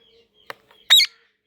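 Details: Indian ringneck (rose-ringed) parakeet talking to itself in a mirror gives one brief, harsh, squawky word-like syllable after a faint click; otherwise quiet.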